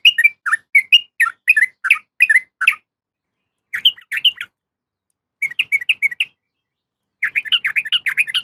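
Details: A female yellow-vented bulbul calls to a male in a fast series of bright, warbling chirps. A pause breaks them into clusters, and the clip ends in a dense burst of chattering notes.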